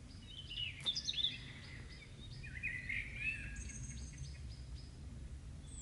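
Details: Birds singing in front of a house after rain on a May evening in 2015: high chirps and warbled phrases, several overlapping, over a steady low rumble of background noise.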